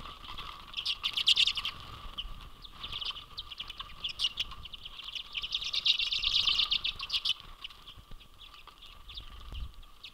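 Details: A large flock of Common Redpolls swarming a feeder in a residential neighbourhood of Manitouwadge, Ontario, on a winter day, 10 January 2022, gives a busy chatter of high, dry twittering and buzzy chips, with soft wingbeats and rustling.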